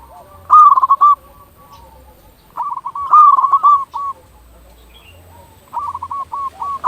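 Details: Local zebra dove in full song, played to lure other zebra doves into calling: three loud phrases, each a quick stuttering burst of mid-pitched cooing notes trailing into softer coos, coming about every two and a half seconds.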